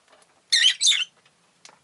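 A rosy-faced lovebird gives two quick bursts of harsh, high, chattering chirps in about half a second, then a faint brief squeak; otherwise quiet.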